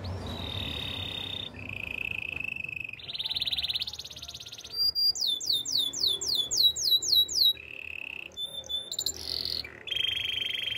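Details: Training song of a Belgian canary, alternating sustained buzzy rolling trills at different pitches with a burst of rapid, descending high whistles, then further steady rattling trills.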